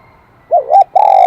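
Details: Spotted dove, a wild-caught bird with the high, ringing 'kim đồng' voice. It gives a wavering two-part coo, then a sustained, slightly falling note that is cut off at the end.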